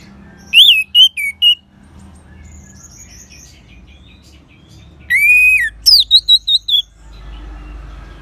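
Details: Orange-headed thrush song used to draw out singing in other birds: a short run of whistled notes, a long quiet stretch with faint twittering, then a second run of loud whistles.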